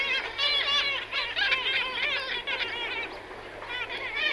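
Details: Many kittiwakes calling at once in a cliff colony, recorded from medium-close range: a dense overlapping chorus of nasal, wavering cries repeated several times a second, echoing off the cliff face.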